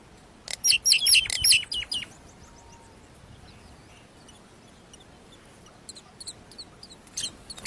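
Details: Myna chicks being fed by a parent in the nest: a two-second burst of rapid, high, squeaky chirps, then near silence before a few more thin squeaks toward the end.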